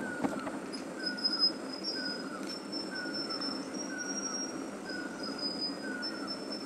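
Spotted elachura giving very high, thin, squeaky notes in a near-continuous run, with lower descending whistles repeating about once a second and a steady background hum.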